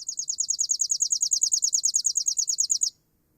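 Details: Chipping sparrow song, played again for comparison with the pine warbler: a dry, rapid trill of one high note repeated about twenty times over nearly three seconds, evenly paced, then silence.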